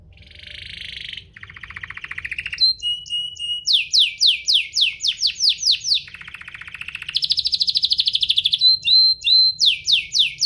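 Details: Canary singing to provoke other canaries: varied song mixing buzzy trills at different pitches, clipped whistles, and fast repeated descending sweeps, with soft low background noise.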